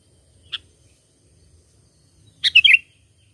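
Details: Sooty-headed bulbul call used as a lure for catching birds: one sharp high chirp, then after a pause a quick burst of several bright, ringing high notes. Faint low background rumble.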